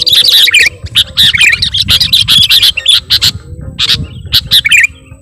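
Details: A sooty-headed bulbul delivers a fast song crammed with imitations, recorded as a lure. Dense high chattering and slurred whistles run nearly nonstop, broken by short gaps, over a constant low rumble.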